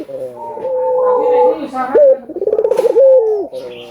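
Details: Albino collared dove in persistent song for stimulating doves to call: a long flat coo, a sudden rising note, a rapid pulsing tremolo, then a held note falling away at the end.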